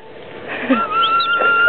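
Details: A cockatoo at Green Valley Farm, repeatedly saying "hello", gives one drawn-out, steady, whistle-like note over a second long, like a stretched spoken word, with faint room noise.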